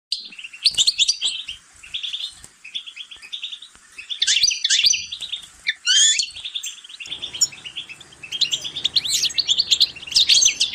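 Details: Goldfinch song played to stimulate other goldfinches to sing: rapid, tinkling twitters and chirps packed into continuous phrases, with buzzy trills and quick rising and falling notes, briefly pausing between bursts.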